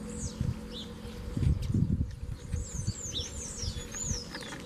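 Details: Double-collared seedeaters in a bush duel: a caged male and his mate face a strong wild black male in a fibre-pulling contest. Arched, swooping whistles form a lively phrase, with low thuds and rustling beneath.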